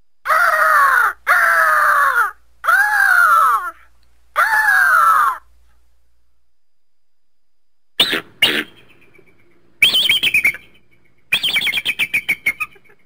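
Four harsh, hoarse screams, each under a second and falling at the end, then bursts of high, rapid chattering notes.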